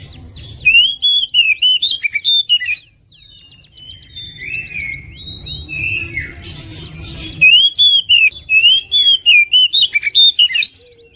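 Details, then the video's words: Champion competition oriental magpie-robin, a national winner in 2021, in full song packed with fill-in phrases and shooting notes: loud bursts of rapid, sharply modulated high whistles and trills, a softer warbling passage in between, then another loud run over low background hum. "Kacer gacor full isian tembakan mewek"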